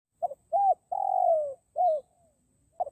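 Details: Forest spotted dove call used as a lure for wild birds: a brief double coo, an arched coo, then a long drawn-out coo sliding downward, another arched coo, and a short coo closing the phrase.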